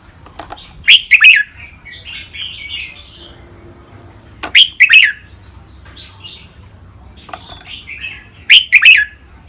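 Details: Training song of caged red-whiskered bulbuls in the rik, beul, lak wai, mae bot and nap dok styles. Loud chirpy phrase clusters come every four seconds, followed by softer rolling warbled notes.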